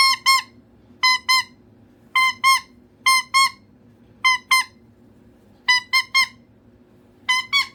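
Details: Needy pet cockatoo calling indoors for attention: loud paired harsh squawks repeated roughly once a second, with short silent gaps between pairs.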